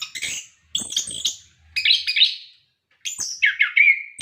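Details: Orange-headed thrush in varied song, used to get captive birds singing: bursts of sharp clicks and high chattering notes, then a mix of rapid warbled whistles ending in a sustained trill.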